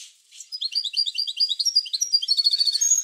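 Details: European goldfinch song played to encourage goldfinches to sing: a continuous, lively stream of rapid, high tinkling notes that grows into a dense, ringing twitter.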